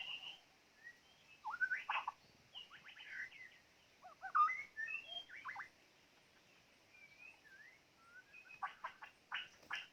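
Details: White-rumped shama used as a trapping decoy, singing a long, varied stretch of short sharp notes, slurred whistles and clipped bursts, with loud and quiet passages and pauses between them.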